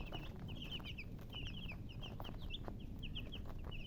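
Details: Chicks chirping: quick pairs and runs of high, sweet peeps from a group of baby birds, steady low hum underneath.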